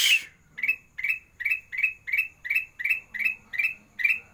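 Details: Sooty-headed bulbul (kutilang emas) in gacor form, a master recording in the sandang garigit style for training birds that sing little: a sharp burst, then short chirps repeated about every 0.4 seconds with even pauses, and a faint low hum beneath.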